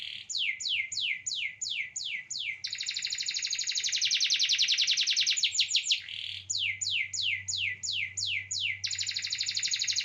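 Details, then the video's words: Canary singing in short series with good duration: runs of rapid downward-sweeping whistles repeated about three per second, broken by a long dense buzzing trill, then more sweeps and another trill; faint low hum in background. "walaupun seri keci tapi durasi lumayan"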